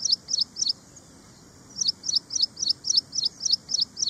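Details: Ashy prinia repeating short, high paired chirps at a brisk, steady pace: three notes, a brief gap, then about ten more in an even run.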